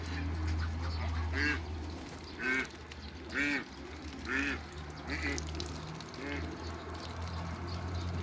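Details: Hybrid Cayuga ducks and female Muscovy ducks meeting each other: six or seven short, harsh, arched calls with stacked harmonics, roughly one per second, over a steady low rumble.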